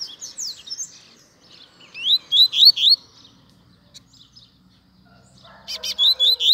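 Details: A coleiro, or double-collared seedeater, sings short bursts of bright whistled notes. The notes rise and fall quickly in a fast series. After a pause, a second burst follows, accompanied by faint low murmuring.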